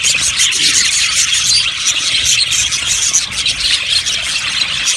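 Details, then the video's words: Yellow budgerigars, a colony kept in an aviary, chirping together. There is a steady wall of high, scratchy twittering with many birds calling at once, plus a few brief sharper squeaks rising out of the mass. "Budgies chirping sounds"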